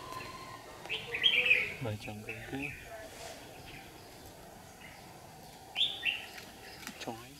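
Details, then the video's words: Competitive song of a trapping lure red-whiskered bulbul in strong sun, July 2019: two brief chirpy warbled bursts several seconds apart amid hissy outdoor noise and faint other sounds. "Bẫy chào mào Má trắng đấu ngày nắng gắt"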